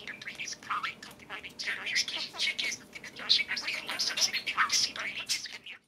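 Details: Two pet parakeets squabble over a food bowl on top of their cage, one molting and cranky, trading harsh, scratchy squawks and quick chirps in overlapping bursts with no pause; a person's voice may be faintly present.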